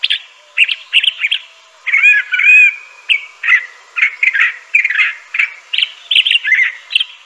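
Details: Toxostoma crissale in continuous song, mixing chirps, a rich harmonic whistled phrase and varied short notes delivered in quick succession.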